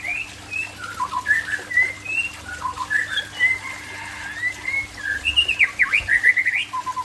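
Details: Song of a white-rumped shama from Aceh, a long medley of whistles, slurred notes and short trills that ends in quick upward-swooping phrases; low background hum.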